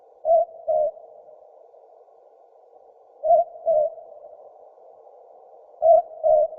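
A southern boobook gives three paired hoots, 'boo-book', the second note slightly lower, repeated about every two and a half seconds over a faint hiss.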